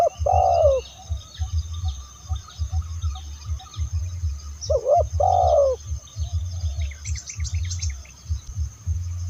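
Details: Spotted dove luring call, two coo phrases each with a short curved note and a long falling coo, set against a continuous low thumping beat and faint chirps toward the end.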